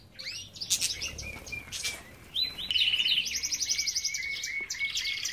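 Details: Aviary-kept Belgian canary song, opening with scattered chirps and a sharp noise, then a fast, even, rattling trill followed by sustained buzzy rolls against a background of other birds.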